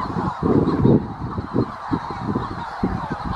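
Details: Manx shearwaters near the North Haven on Skomer give hoarse, throaty cackles in uneven bursts of low, rasping notes over a steady background hiss.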